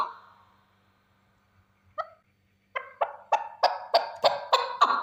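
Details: Lone male chukar partridge: one drawn-out rasp, a soft isolated note, then a steadily repeated run of sharp chucks roughly three per second that grow louder.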